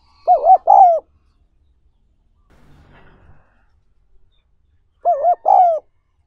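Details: Spotted dove cooing, in a recording made to train wild-caught doves: two separate low, hooting coo phrases, each a quick double note and then a longer falling coo, about five seconds apart, with a brief faint rustle between them.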